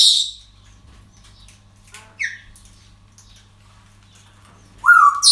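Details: Parrots at a breeding centre: a harsh squawk at the start, a short downward-sliding call midway, then a loud rising-and-falling screech near the end, with long quiet stretches between.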